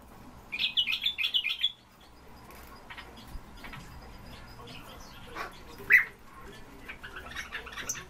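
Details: European bee-eaters in captivity: a quick run of about six high, rolling notes, then a quieter stretch and a single sharper call, with scattered faint chirps around.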